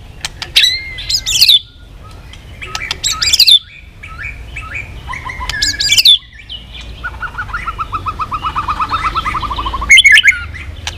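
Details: Chòe lửa (white-rumped shama) singing a long varied sequence: scattered sharp chips and short whistles, then a steady rapid train of evenly repeated notes lasting several seconds before another sharp burst.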